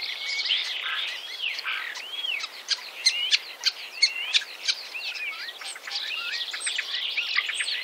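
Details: Common starling in song, 2017, near Wittlich, Germany: looping slurred whistles and squeaks mixed with crackling clicks, including a series of loud snapping notes roughly every half second midway.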